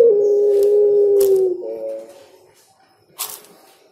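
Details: Spotted dove song ending in a long, even, low coo that fades, with a few soft clicks and a brief rustle afterwards.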